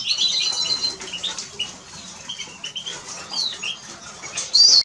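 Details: Eurasian siskin singing a rapid, high-pitched twitter of chirps, trills and slurred whistles, steady throughout and ending in a loud strained wheeze.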